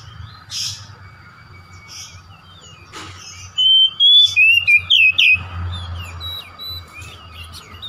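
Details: Oriental magpie-robin song used as a lure to make a kept bird reveal its song material: faint chirps, then a loud run of sweet slurred whistles and quick twisting notes, over a continuous low background hum.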